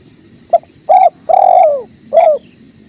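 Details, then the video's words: Spotted dove by flowing river water, phrase of four hollow notes: a brief pip, a rounded coo, a long sliding coo that drops in pitch, and a closing falling coo. "Masteran Tekukur"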